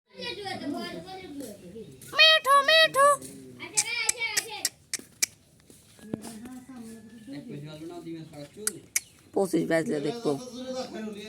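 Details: Indian ringneck parakeet (Psittacula krameri manillensis) talking while eating, chattering speech-like phrases in a high, nasal voice, broken by a few sharp squawks and soft clicks and taps.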